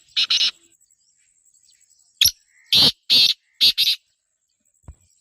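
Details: Female black francolin calling to attract a male: one short harsh double note, a pause, then a grating rasping phrase of paired broadband notes, each burst loud and scratchy, with a faint steady high whine behind.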